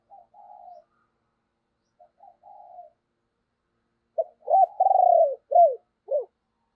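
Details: Decoy spotted dove urging and cooing to stir others into cooing: soft purring coo phrases first, then a louder burst of hollow coos with one long rolling note.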